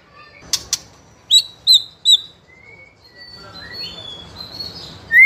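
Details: Spotted juvenile white-rumped shama singing as a lure and tutor sound to provoke other young birds; a few clicks, three ringing high whistles, then long thin drawn-out notes and a final loud upslur.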